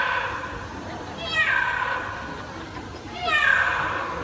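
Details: A Yellow-naped Amazon parrot performing at a bird show imitates a cat on cue, giving two drawn-out, falling cat-like meows about two seconds apart over a murmur of crowd noise.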